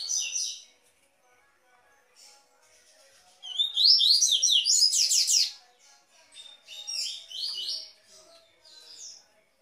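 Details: Tui Tui style song of a double-collared seedeater, meant for warming up and teaching captive birds: scattered high chips, then a loud burst of fast, sharply slurred whistled notes, followed by quieter broken phrases.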